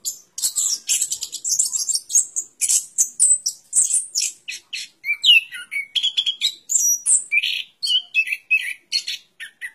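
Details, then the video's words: Orange-headed thrush in continuous song: dense high chattering notes at first, then looser whistled and slurred phrases, some falling in pitch, repeated in quick bursts. "Suara Burung Anis Kembang"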